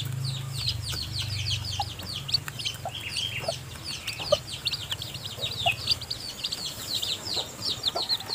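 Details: Mother hen feeding her newly hatched, still weak chicks in the nest: a dense chorus of shrill, falling peeps runs throughout over a low steady hum, with occasional soft clucks.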